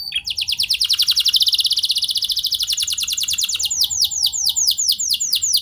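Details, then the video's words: Canary song for training other canaries to sing: a long, rapid, buzzy trill of steep downslurred notes, slowing into louder separated chirps near the end, with faint background hum. "Kenari Gacor Lagu Mewah! Buat Kenari Mana Saja Bakalan Langsung Ikut Gacor Panjang"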